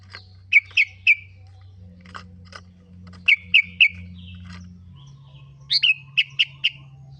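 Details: A kutilang, or sooty-headed bulbul, sings on a lure recording: groups of three crisp chirps, some faint scratchy notes, then a final string of five bright notes, over a low droning hum.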